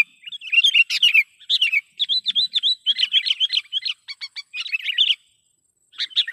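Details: Sooty-headed bulbul call used as a lure to pull in other bulbuls and provoke silent ones: dense runs of warbling, chirpy notes for about five seconds, a pause, then a final short burst.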